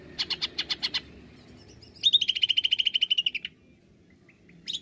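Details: Greater green leafbird (cucak ijo) in 'nembak' song, played as a lure: six harsh clicking chips, a pause, then a rapid volley of about sixteen piercing high notes that dips slightly at the end, followed by near silence.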